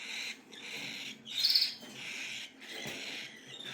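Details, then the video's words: Cockatiel nestlings give soft, breathy, wheezing begging calls in steady bursts, one slightly louder buzzy note near the middle, fairly quiet overall. "صغار عصافير الكوكتيل"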